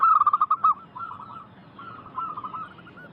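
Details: Local zebra dove song from a lure recording for wild doves: one short loud burst of quick rolling coos, followed by softer, more distant trilled cooing.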